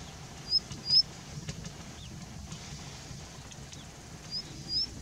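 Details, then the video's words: Perched on a rock at Jayamangali, India, an Indian bushlark gives brief, high-pitched rising squeaks: two near the start and two near the end, each a quick thin upslur, over constant low-frequency ambient noise. "Indian Bushlark Calling and Singing"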